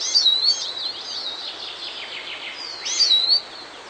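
A Eurasian siskin gives two thin, high, wavering calls about three seconds apart, with soft twittering between them.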